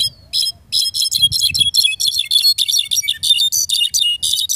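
Mexican goldfinch singing a fast, continuous run of high, buzzy twitters and chattering notes, with a faint low rumble beneath.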